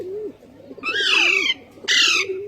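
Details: Pet Indian ringneck parakeet, a talking parrot, giving two harsh, buzzy, downward-sliding squawks, with a quieter low wavering sound beneath.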